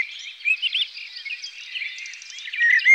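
A thrush sings a quick run of varied, warbling high notes, with brighter whistled phrases at the start and end over a faint hiss.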